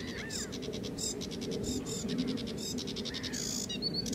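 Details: Sedge warbler singing: a fast, scratchy chatter of buzzy repeated notes and short trills in a steady stream, with a few rising whistles near the end, over low background rumble.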